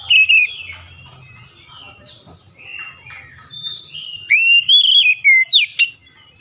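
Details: Magpie-robin lure song for getting silent or lazy birds singing: a brief loud whistle, a stretch of soft background twittering, then a strong rising-and-falling whistled phrase closing with a quick steep sweep.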